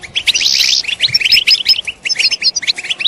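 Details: Group of European goldfinches giving batbata twitter calls, played to encourage males to sing; quick, choppy high chirps in bursts, a brief buzzy hiss early on, and sharp tinkling notes, with a short lull near two seconds.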